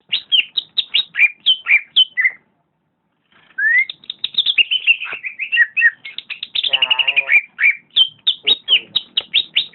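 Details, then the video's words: Greater green leafbird singing in the lively nonstop gacor style: rapid slurred whistles and chirps, mostly falling, in dense runs, a pause of about a second, then a longer phrase with a harsh buzzy rattle near the end. "Burung Cucak Ijo - Burung Cucak Ijo Gacor"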